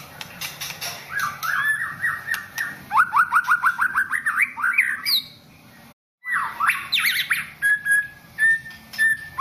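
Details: Champion white-rumped shama in song: a fast run of rising whistled notes repeated in rhythmic series, climbing in pitch, broken by a short silence, then more rapid upslurred notes and level whistles, with steady background hum.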